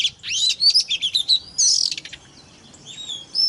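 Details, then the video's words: White-rumped shama song aimed at provoking other shamas: a quick series of bright slurred whistles, a short harsh buzz, then quieter whistled notes after a lull. "PANCINGAN- BURUNG KACER TERBAIK AMPUH MERANGSANG EMOSI KACER LAIN BIAR TAMBAH GACOR"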